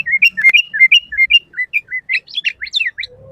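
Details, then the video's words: Sooty-headed bulbul in lively full song for training and luring other bulbuls: a run of clear, liquid whistled notes evenly spaced about three per second, then a quicker, higher burst of twittering notes. "Suara Burung Kutilang Gacor FULL ISIAN paling masuk buat PANCINGAN MASTERAN semua BURUNG KUTILANG"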